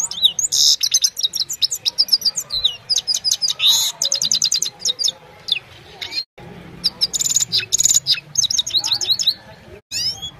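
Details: Himalayan goldfinch singing at evening time, recorded on a mobile phone: long fast-flowing twittering song of high chirps, buzzy trills and liquid slurred notes with short breaks.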